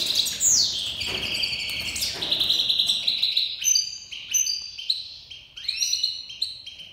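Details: Iranian goldfinch of Himalayan and black-headed crossed stock, tame, in full breeding-season song: loud, continuous liquid twittering with sliding whistles, a rapid buzzy flourish and clipped repeated chips.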